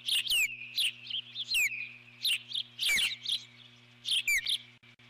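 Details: Eagle alarmed by an intruding large bird around its nest on 12 July 2014: dense clusters of shrill chirps and downward-swooping whistles, repeated in bursts, then fading, with a continuous high tone and electrical hum behind.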